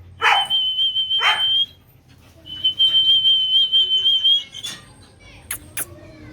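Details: Pet cockatoo, kept at home and said to talk and dance: long, steady, high whistles, each opened by a harsh rasping onset, with two sharp clicks near the end.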